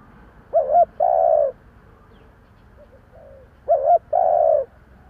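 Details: Spotted dove decoy bird cooing to lure wild birds, in the local 'giọng thổ' style; two-part phrases, a short wavering note then a longer low coo, repeated twice about three seconds apart.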